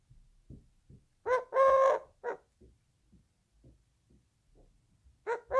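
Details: Eurasian collared dove coo, a short, long, short three-note phrase, followed by scattered soft clicks and the start of another phrase.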